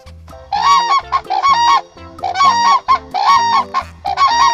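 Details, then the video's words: Sarus crane giving loud, brassy trumpeting calls in rapid bursts, rising and falling about once a second, over steady low background music. "Crane Bird - सरस"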